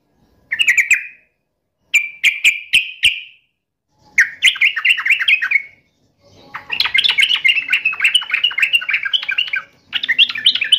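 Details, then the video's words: Yellow-vented bulbul in full song, taunting and answering a rival: short bright whistled notes near the start, then increasingly long bubbly chattering phrases separated by brief pauses, clean quiet background. "trucukan gacor MENGEJEK LAWAN"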